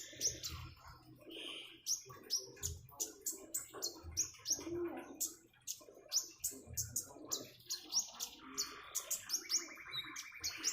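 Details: Common iora singing near running water, a long run of quick sharp chirps and whistles, with a brief buzzy rattle toward the end.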